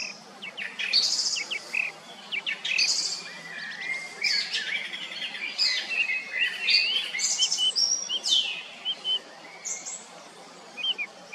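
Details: A song thrush sings loud, varied phrases of bright whistles and sharp chirps, often repeating a phrase two or three times before switching, against a faint background hiss.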